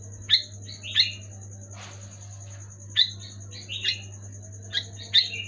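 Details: Sooty-headed bulbul song, played to get reluctant or moulting bulbuls singing, somewhat quieter: short liquid whistled phrases in pairs about a second apart, one brief rustling noise burst midway, over a strong low hum and high whine.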